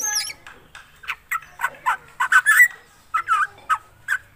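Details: Black drongo in full song: a high whistled slur opens a run of lower, throaty chattering notes in uneven bursts, some paired, with short gaps between.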